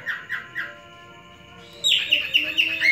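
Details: Male cockatiel in captivity courting a female, three soft rising notes, a short quiet gap, then a burst of loud high whistles in quick succession.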